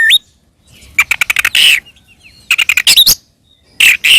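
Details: Oriental magpie-robin fighting song, used to provoke other magpie-robins into answering: loud bursts of rapid harsh clicking notes mixed with rising whistled slurs, separated by brief pauses.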